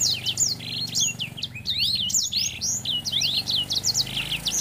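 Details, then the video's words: Male Grey Singing Finch in breeding condition, singing to court a female: a fast, unbroken run of high, sweet twitters and slurred whistles over a low steady hum. "Burung Sanger Gacor | Grey Finch Singging"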